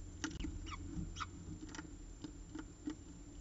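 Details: Peregrine falcon at the CSU Orange nest, 14 October 2019, evening, with the day's last prey: a run of short, harsh, downward-slurred chips in uneven succession, about eight notes over low background hum.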